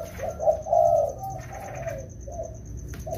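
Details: Wild-caught spotted doves, two birds trained while it rains, produce a brief cluster of low mellow coos, the strongest in the first second, then softer trailing notes and a faint steady high tone.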